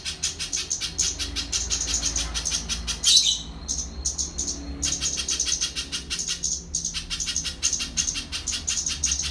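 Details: Little spiderhunter delivering quick, high-pitched repeated chip notes, with a short pause and a harsher louder note before the rhythmic series picks up again.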